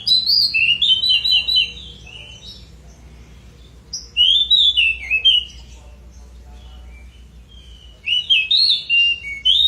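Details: Pied bushchat in full, lively song: three bright phrases of quick, warbling high whistles and twitters, each lasting about a second or two, separated by pauses of several seconds.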